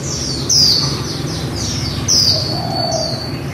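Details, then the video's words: Female white-eye giving 'líu' song, two sharp high whistled phrases that slide downward, roughly a second and a half apart, trailing into softer twittering; a faint low tone near the end and a steady background hum. "Khuyên mái líu"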